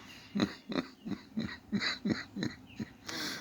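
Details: Woodpecker pounding a tin soffit, as it does for hours every morning and evening: hollow metallic knocks repeated about three times a second in an uneven run of eight blows, ending in a brief rustle.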